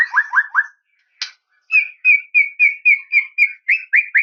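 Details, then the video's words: A white-rumped shama calling a rival opens with three falling whistles, gives a sharp burst, then repeats a short whistled note about a dozen times in quick, even succession. "KICAUAN SUARA MURAI INI MEMANGGIL LAWAN"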